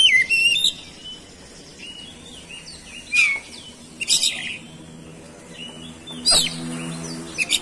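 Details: Oriental magpie-robin singing to provoke rival birds into song: bright whistled notes at the start, then scattered short chirps and several sharp explosive bursts, with low humming in the background.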